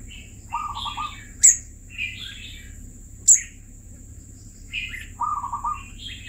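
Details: Caged red-whiskered bulbul of two years sings spaced phrases of low buzzy stuttered notes and higher warbled whistles, interrupted by two sharp clicks, with a steady high whine and quiet hum throughout.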